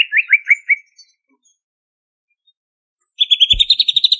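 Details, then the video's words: Banyuwangi greater green leafbird delivering ngentrok song: four quick slurred notes falling in pitch, a silence, then a steady buzzy trill of rapid pulses broken once by a dull thump. "Kicau Cucak Ijo Gacor Asli Banyuwangi Ini Asli, Ngentrok Full Isian!"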